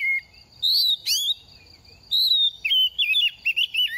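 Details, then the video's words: Semi-mature oriental magpie-robin in moult, shedding feathers yet singing eagerly: a short high whistle, a loud rising sweep, then a long falling whistle and a fast chain of wavering, jerky notes, with a thin constant tone behind. "Kích chim hót mùa thay lông | Choè than bánh tẻ lên 2 vụ mau mồm đang rớt lông p3 Kích Choè Than Hót"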